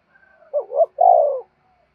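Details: Spotted dove decoy bird cooing to lure wild doves: two short hooting notes followed by one longer, slightly falling coo, low and mellow, with a quieter faint tone before it.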